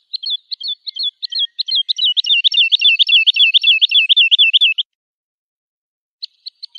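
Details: Lark song aimed at tutoring young birds: spaced whistled phrases quicken into a long rolling, wavering trill, followed by a pause and a couple of sharp short notes.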